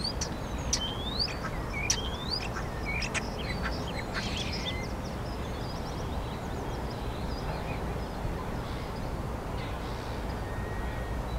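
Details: Spring song of a common starling, Hyde Park, London, UK, April 2016: quick upslurred whistles mixed with sharp clicks for about four seconds, then fainter scattered notes, all over steady low background rumble.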